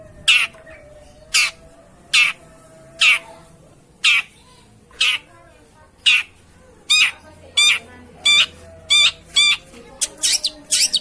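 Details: Long-tailed shrike song to encourage a silent bird: regular loud rasping notes about once a second, turning to quicker doubled, stuttering calls near the end.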